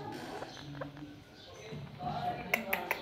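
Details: A pet rose-ringed parakeet, one of a talking pair, mimics speech in soft, murmured, voice-like phrases, followed by three sharp clicks or snaps near the end in a small room.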